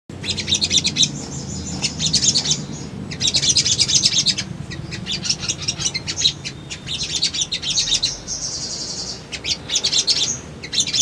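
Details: Male sunbird, known locally as sogon, singing as a lure to provoke young birds into responding and seeking a rival: bursts of high, rapid, scratchy chirping trills separated by brief pauses, with a faint low hum underneath.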